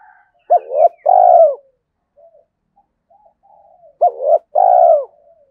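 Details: Decoy spotted dove calling to draw in wild birds: two phrases, each a brief clipped note followed by a longer rolling, slightly falling coo, separated by quiet murmurs.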